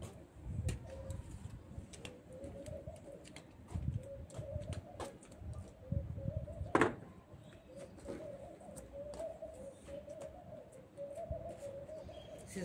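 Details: Turtle doves in Adana coo in soft, low, hollow phrases that run steadily through the background. Nearby there is low rumbling and occasional clicks and clatter while bone broth is cooked.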